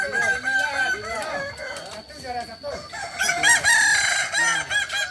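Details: Crowing practice of Kokok Balenggek chickens at Ampang Kualo, Solok. Many roosters call at once in stacked, looping crows with repeated up-and-down syllables. The crowing dips around 2 seconds and builds louder again after 3 seconds.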